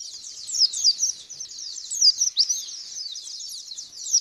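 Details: High, fast white-eye chatter used as a lure to prompt another white-eye to answer: a tight stream of squeaky, tumbling notes with occasional sharper downslurred whistles standing out.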